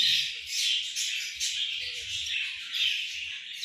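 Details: Breeding English budgies chattering together, a steady high-pitched warbling and chirping mass of many overlapping voices, with soft low knocks in the background.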